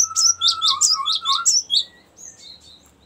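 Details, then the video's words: Cinereous tit giving a long rolling song used as a lure for cinereous tits: a fast run of bright, high chirping notes over a steady lower whistle, fading into a few softer, thin high notes. "ngerol panjang sangat bagus untuk pancingan gelatik batu dan masteran"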